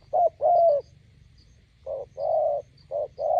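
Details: A decoy spotted dove meets a wild bird by a roadside. It gives soft, low, hollow coos in paired phrases, each a short note followed by a drawn-out note, with a quiet gap between the two phrases.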